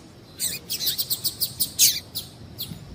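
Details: Female double-collared seedeater giving a lively string of high, clipped chirps, about ten notes in steady succession, some dipping slightly downward; the call is played to stir males into singing for tournaments.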